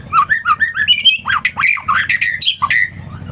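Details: Agitated white-rumped shama in full song: a rapid, dense run of varied whistles, slurred upsweeps, rattling trills and sharp accented notes tumbling without pause, over a low mechanical hum.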